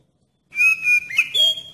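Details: Oriental magpie-robin singing as a lure to set other magpie-robins singing: after silence, two steady clear whistles, then a quick upward slide into a higher held whistle.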